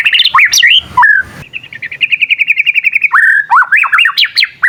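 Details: Young white-rumped shama learning to sing, setting off answers from other shamas; opening slurred whistles, then a rapid even trill of about twenty pulses, followed by swooping up-and-down whistled phrases.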